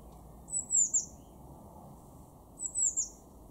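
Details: March 2024 garden recording from Weener, East Frisia, Germany: a blue tit utters two groups of very high, thin, descending three-note calls about two seconds apart over steady faint low-frequency background.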